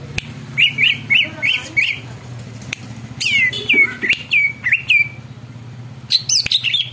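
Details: Greater green leafbird (cucak ijo) in full singing form, whose song is said to set other birds calling and agitated: a series of sharp, rising whistled chirps, then curling slurred whistles and higher notes, over a steady low hum.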